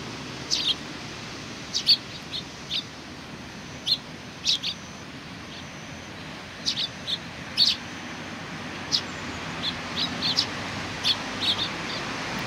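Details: A group of sparrows welcoming someone, 27 July 2020, keeps up a loose chatter of short, high chirps, singles and quick doubles scattered throughout, over constant soft background noise.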